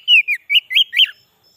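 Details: White-rumped shama song used to lure wild shamas: five brief whistled notes, sliding and warbling, delivered in just over a second.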